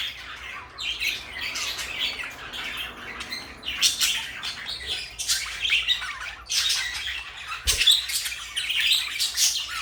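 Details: Pair of pet parakeets, blue and light yellow, calling indoors: bursts of high, raspy chatter and short squawks come in clusters separated by brief quieter gaps, with a single low thump partway through.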